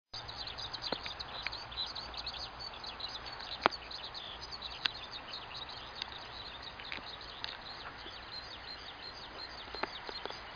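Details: Eurasian skylark soaring high above farm field paths on an early spring morning, singing persistently: a faint, continuous stream of rapid high chirping and trilling notes, with occasional sharp clicks in the foreground.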